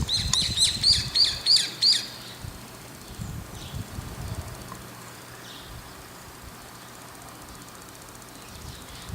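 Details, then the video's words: Brown-eared bulbul calling over and over from atop an antenna as it looks around; a quick run of about six sharp, high, rising notes in the first two seconds, followed by quiet background. "ヒヨドリの鳴き声～地鳴き～Brown-eared Bulbul"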